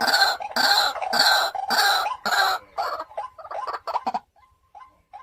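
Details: A 3–4-year-old captive decoy White-breasted Waterhen gives five loud, harsh, nasal croaks about half a second apart, then a run of softer, broken notes that trail off.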